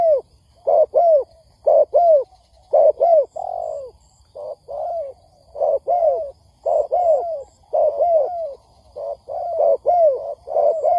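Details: Spotted dove used to lure birds for trapping, cooing busily in paired and triple notes, falling and arched, roughly once a second, sometimes running together, with faint high ticks.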